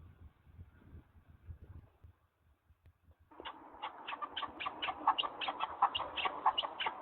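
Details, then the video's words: After a quiet start with faint background sounds, partridges in the mountains break into a fast, continuous series of harsh, clucking notes over steady noise. "the sound of partridges"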